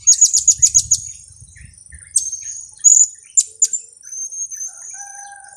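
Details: Blue-crowned hanging parrot calls, of the kiak type, used as a lure for trapping: a rapid run of short, very high, shrill chirps, then scattered sharp high notes and thin drawn-out whistles, with faint lower whistled tones near the end.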